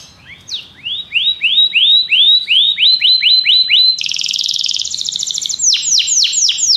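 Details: Belgian canary singing: a run of rising, swept whistled notes at about four per second, then a dense buzzy high roll, ending with quick downward-curving notes.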